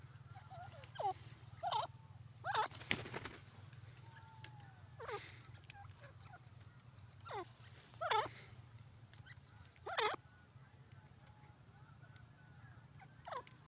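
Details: A francolin (teetar, labelled yellow partridge) gives sharp, scratchy call notes at irregular one-to-two-second gaps, some with a thin whistled tail, over a steady low electrical hum.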